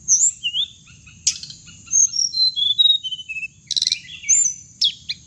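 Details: Playback sound of a hồng hạnh bird for luring birds into traps: whistled notes descending in steps, sharp chirps and a short buzzy rattle, over a steady high-pitched tone and low background hum.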